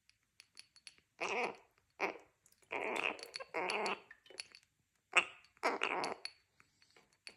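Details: Three-and-a-half-month-old male Gang-gang Cockatoo, kept indoors and thirsty after flight training, mutters in harsh, throaty, gurgling bursts about half a second long, several in quick succession, with small clicks and ticks between them.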